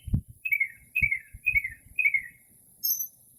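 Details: In early spring near midnight, a northern mockingbird in quiet surroundings repeats a down-slurred, slightly buzzy chirp four times at half-second intervals, then gives one thin high note, while faint low thumps sound below.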